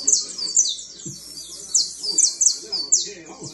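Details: Fine canary trilling: very high, rapid trills and buzzy rolls in quick bursts, with faint lower sounds behind.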